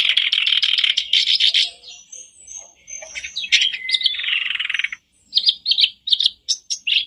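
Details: Black-browed reed warbler song played as a daily lure to get a caged bird singing: harsh, buzzy chattering phrases, then a short gap and a run of sharp clipped chips.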